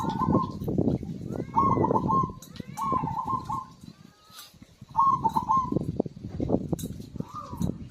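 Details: Zebra dove singing vigorously, used to lure silent birds into song: four trilled, rippling coo phrases near one pitch, each about a second long with gaps between, over steady low rumbling and clicking background noise.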